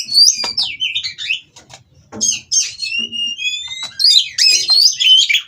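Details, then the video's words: Oriental magpie-robin from a breeding farm, mating and goading rivals to sing: chattering whistled phrases, a quiet gap, then long clear rising whistles and tangled bright notes. "Burung Kacer Kawin Merangsang Lawan Untuk Bunyi dan Lebih Gacor"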